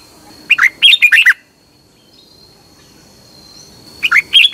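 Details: Caged-bird training song of a Red-whiskered bulbul from Thailand: a quick, chirpy warbled phrase, about two seconds of quiet with a faint steady high tone, then the phrase starts again.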